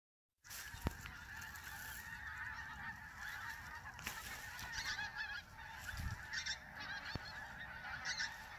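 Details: Large flock of pink-footed geese (Anser brachyrhynchus) in the morning: a steady, overlapping chorus of high, nasal honks and yelping 'wink-wink' calls, a few louder calls standing out nearby.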